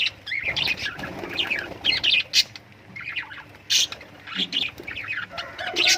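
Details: Lovebird chirping and squawking: busy runs of shrill, slurred high notes broken by short pauses, with harsher squawks mixed among the twittering chatter.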